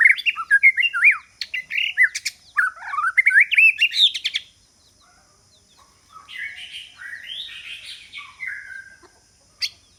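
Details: White-rumped shama decoy song to lure rivals: loud, varied whistled phrases with abrupt clicks for about four seconds, a pause, then a softer warbling phrase and one last sharp note.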